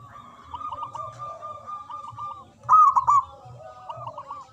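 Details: Local Indonesian zebra dove with a big voice singing in manggung style: rolling, bubbly cooed notes in short repeated phrases, with a louder, stronger burst midway, then softer phrases again. A faint low hum sits underneath.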